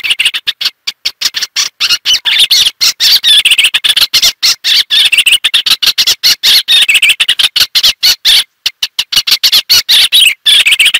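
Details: Eastern olivaceous warbler in long, continuous scratchy warbling, a dense stream of quick chattering notes with only a few short breaks across eleven seconds.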